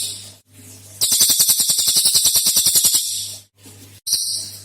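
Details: Cililin singing in a recording made to lure other birds into song: one long, loud chattering trill of rapid pulses lasting about two seconds, then quiet hum and the start of another burst.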